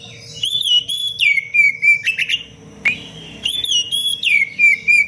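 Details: A kacer, or Oriental magpie-robin, sings tight, fiery 'cengkok rapat pedas' phrases for masteran training. Piercing whistles first hold level, then slide downward, repeating in several bursts. A single click sounds mid-phrase and a faint hum runs throughout.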